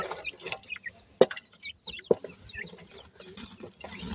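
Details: Grey francolin chicks (bhura teetar) utter sparse, thin, upward-curving peeps at intervals, punctuated by two loud sharp knocks and some background rustle.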